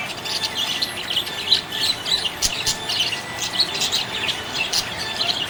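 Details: Happy budgies chirping, busy high-pitched twittering and chattering notes in quick irregular bursts, several birds calling together.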